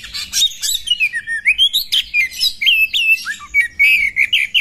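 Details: Singing female Oriental magpie-robin, provoking males to display and fight, gives a steady string of short whistled phrases, rising and dipping slurs repeated roughly every quarter second, with some sharp high notes.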